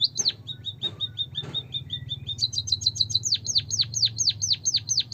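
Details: Lure for a reluctant White-headed munia, original voice with canary-song fill: thin, flat repeated chips at first, then a crisp trill and a run of high, sharply falling whistles over a low hum.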